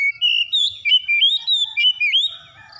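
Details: An Oriental magpie-robin delivers a continuous string of clear, sliding whistles, some rising sharply, ending in softer warbling. The recording is meant to stimulate a kacer that has stopped singing.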